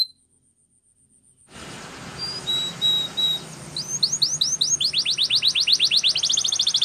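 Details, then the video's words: After a silent start, a canary training song of level high whistles leading into rising swept notes and a fast, accelerating high trill. "Canary singing Bird Sounds At Its Best | Melodies Canary Bird Song"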